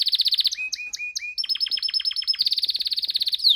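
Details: Pet canary in full song: rapid pulsed trills, a few short slurred whistles, then long runs of quick repeated notes and a final sweeping flourish, all high and clear.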